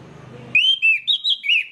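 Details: Orange-headed thrush singing, played to coax other birds of its kind into song: four bright, slurred whistles in quick succession, alternating lower and higher pitches, cut off abruptly at the end.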